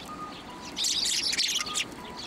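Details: Sparrows at a Tenmangu shrine on 1 January 2024, hopping onto a hand to be fed: a short flurry of bright, overlapping high chirps in the middle, with a faint steady tone and soft background noise.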